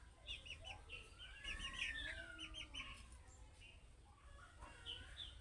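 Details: Budgerigar chick-style calling that prompts other budgerigars to answer: rapid bright chirps repeated about three times a second, with lower harmonic clucking sounds underneath and steady background hum.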